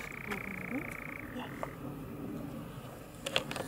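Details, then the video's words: Courting European nightjars at dusk: a long purring churr that drops slightly in pitch midway, then fades out, followed by sharp clicks near the end. "Courtship Nightjars / Nachtzwaluwen baltsen (Caprimulgus europaeus)"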